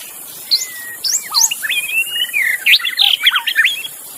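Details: Magpie-robin singing in the wild forest, a master recording for training pet birds; a lively mix of whistles, upslurred notes and short warbled phrases, tumbling quickly, over constant high insect hiss.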